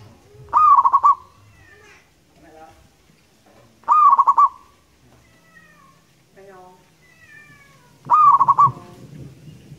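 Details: Local wild zebra dove singing actively as a lure: three rolling phrases roughly every four seconds, each opening with a rising coo and then rapid pulsed notes. Thin descending whistles from other birds fill the gaps.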